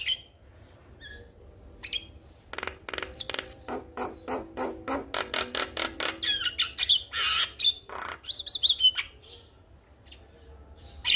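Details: Male Javan myna calling a female, played as a lure for a quiet bird: scattered whistles, then a fast train of dry buzzy notes building in loudness, ending with high whistled slurs and harsh bursts.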